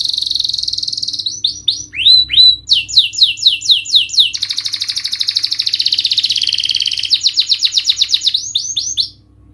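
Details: Canary song meant to rouse a silent, stressed bird: high trills, swooping slurs, then a long fast rattling trill and runs of repeated whistled notes before fading.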